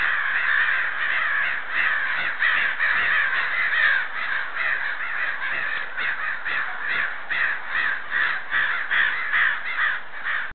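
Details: Large flock of crows surrounding a house, cawing without pause: many harsh, rasping calls overlap into a steady, crowded chorus with rapid uneven repeats throughout.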